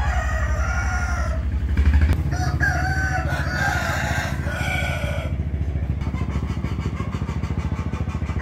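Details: Morning rooster crowing, 8 April 2021: overlapping raspy crows fill the first five seconds, then only a loud, throbbing motor-like drone remains.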